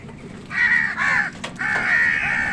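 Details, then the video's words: Two drawn-out, hoarse crow caws, the second longer, heard while crows fight wild birds for food; a faint low hum lies underneath. "Crow Sound কাকের ডাক Wild birds fight with crows for food | Crow Bird Crowing Sound"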